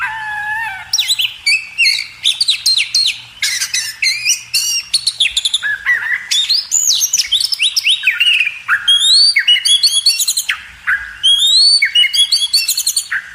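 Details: Cage-bird training recording of a magpie robin singing a long, rich sequence of whistles, downward-sweeping slurs, trills and rapid repeated notes, each phrase separated by brief pauses.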